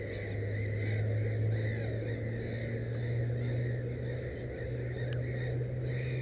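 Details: Rapid series of harsh, slightly rising calls from a black-headed gull with three chicks at the nest, over a constant low droning hum.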